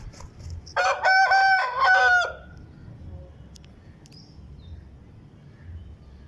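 An Aseel rooster gives one harsh, harmonic-rich crow of about one and a half seconds, rising then holding a steady note before breaking off; low background hum throughout.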